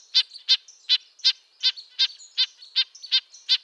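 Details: Red-breasted nuthatch calling: ten nasal, high-pitched toots like a tin trumpet, spaced about every third of a second, each a short buzzy burst, with faint secondary calls.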